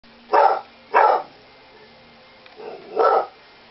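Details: Female pet parrot imitating the bark of a small toy-type dog: three short, harsh bark-like bursts and one softer one, each lasting about a third of a second, in a quiet room.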